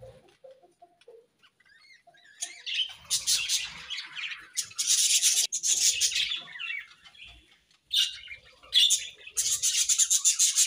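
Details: Budgies in the morning break out of near quiet into loud, dense, buzzy warbling. The long raspy bursts are interrupted by brief pauses, with a few soft low chirps at the start.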